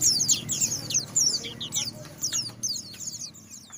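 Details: Quick bursts of high, sharp downslurred chirps from a white-eye, arriving in short clusters that thin out toward the end, over light background murmur.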